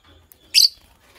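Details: A green Fischer's lovebird couple in the morning gives one sharp, shrill, high chirp, brief and loud, set against near silence.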